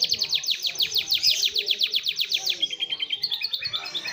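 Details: Atlantic canary song imitating a lovebird, delivered fast and dense: a long run of rapid downward-sweeping high chips, about three per second, then shifting into quicker buzzy trills.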